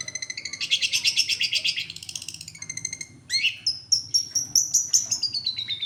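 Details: Long-tailed shrike, a national champion bird, singing in a recording meant to lure other birds: a fast run of repeated buzzy, chattering high notes, a short pause, then clear sliding whistles and sharp chips rising and falling.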